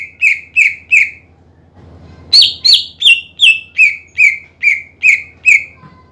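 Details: Greater green leafbird in full song, played to provoke rival or reluctant leafbirds into singing: three clear whistled notes, a short pause, then nine loud ringing whistles stepping down in pitch, about two and a half per second.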